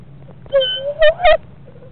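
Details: Barred owls in a Florida nest box, hatching due within a week, during a moth drop-off: a drawn-out nasal whine slowly rising, then two short harsh yelping notes in quick succession, with faint low background hum.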